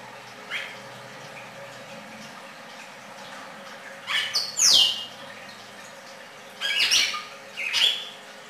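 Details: Red-crested cardinal song with a few spaced chips, then a pair of loud phrases including a sharp descending whistle, and later two more bright clustered notes, over a steady low hum.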